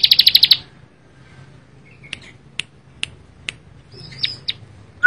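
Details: A bar-winged prinia in lively song opens with a fast, loud burst of about seven high chirps, then gives sharp single chips about twice a second over a faint low hum.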